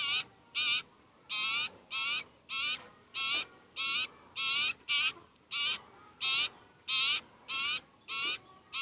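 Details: Sirpu (sirtu) bird, very hungry, begging: insistent, rough, buzzy calls repeated in a brisk regular rhythm, around fourteen notes, over a quiet background.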